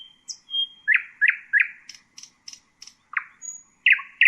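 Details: Common nightingale song, varied and loud: a sustained whistle, then repeated rich chirped notes about every third of a second, short high clicks, and further loud phrases rising again near the end.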